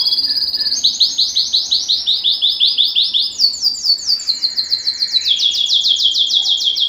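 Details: Continuous high canary song, Belgian type, for rousing males and females to mate: evenly pulsed rolling trills dropping step by step, then rising again into a bright fast run.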